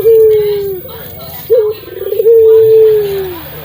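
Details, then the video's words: Barbary dove singing, a local bird offered as a lure for doves that have stopped singing: two long, smooth falling coos separated by a short rising note and a low, quavering burst. "PUTER GACOR SUARA TEBAL SUPER MERDU cocok BUAT pancingan puter MACET"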